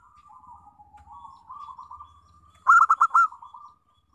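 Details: Local zebra dove song used as a lure for other doves: soft wavering trilled coos build into a loud burst of four sharp, ringing notes, then a short trailing trill.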